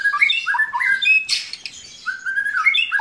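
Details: White-rumped shama song with inserted lovebird and canary imitations: harsh squawky notes mixed with quick bright whistles and slurred warbles, loud and close.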